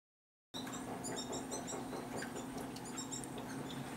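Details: In late summer at a bird feeder, a male American goldfinch feeds his fledgling seeds, with thin, high chirps and twitters in quick, irregular bursts over a steady low mechanical hum.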